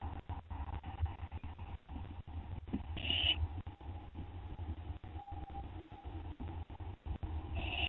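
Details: Owl on a live nest camera at 2:56 AM on 10 September 2011, finishing off a gopher it was given; one short, harsh, high rasping burst midway and another at the end, over a steady low electrical hum and clicks.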